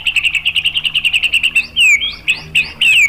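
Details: Shama song used to prompt another shama to sing: a steady series of quick repeated chipping notes, about seven per second, followed by loud downslurred whistles and sweeping phrases.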